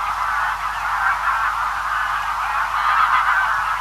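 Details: Greylag Geese calling from a large feeding flock at a distance, a continuous muffled wall of honks and cackles that swells slightly near the end.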